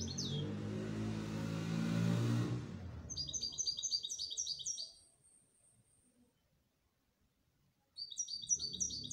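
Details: Canary producing crisp, rapidly repeated high chirps in a trill after a loud rushing noise fades, pausing, then resuming a short burst of trilled notes.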